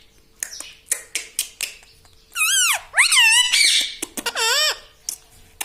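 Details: Pet parrot talking in a small room: a series of soft clicks, then loud mimicked words with bending, wave-like harmonic tones, followed by a few more sharp clicks.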